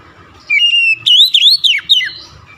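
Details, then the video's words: Oriental magpie-robin singing a short phrase: a long steady whistle followed by a run of bright, wavering and sliding whistled notes ending in a downward slur, over faint low background noise. "OCEHAN KACER"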